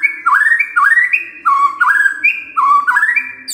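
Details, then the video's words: Morning white-rumped shama song played to provoke a quiet bird: rich, low, fluting whistles that slide up and level off in phrases about every half second, with a soft hum beneath. "Pancingan PAGI-PAGI AGAR MURAI GACOR❗ murai diam pasti ikut NYAUT❗❗"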